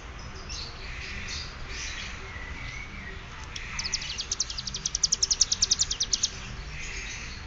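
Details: Prinia learning the bren cililin style: a fast, high, evenly pulsed rattle of clicky notes lasting about three seconds, set against a constant low background hum.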